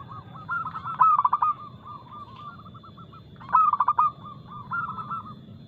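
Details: Local zebra dove song, described as fast-tempo, loud and crystal clear, used as a lure to prompt caged doves to sing. Loud bursts of rapid staccato cooing come about every 2.5 seconds over steady softer cooing from other doves.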